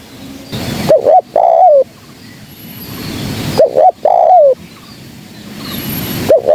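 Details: A lure recording of a spotted dove gives two full cooing phrases and the start of a third. Each has a short rising double coo, then a prolonged wavering coo that falls at the end, with quiet background hiss.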